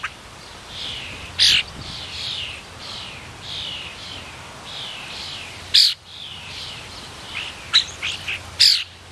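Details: Talkative blue jay taking a turn at a suet feeder: scattered soft, slurred mid-high notes broken by several sudden harsh, loud bursts, clustered near the end, over a quiet steady background hum.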